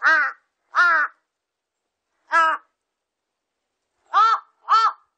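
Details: Five drawn-out, throaty caws from a large-billed crow, irregularly spaced: two close together, one alone, then a final pair, each call arching in pitch and slightly longer than a short bark.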